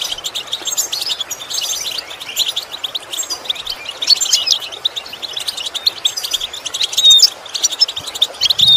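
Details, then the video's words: Goldfinch song used to train goldfinches to copy sounds: steady, high, fast twittering with tinkling chirps and a few thin whistled slides, running without a break. "Training The Goldfinch To imitate Sounds Useful Lessons to improve Song"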